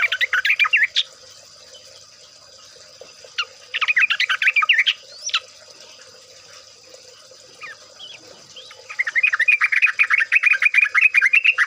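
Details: Sooty-headed bulbul (trucukan) in ropel style, played to coax birds into song; repeated bursts of fast, rippling chatter separated by quiet gaps with scattered single notes, ending in a long rapid run.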